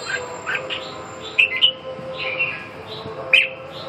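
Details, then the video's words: Red-whiskered bulbul probing a rival with brief sharp whistled notes and quick chirps, a few louder accents near the middle and end, over a steady low hum. "ché thăm dò đối thủ"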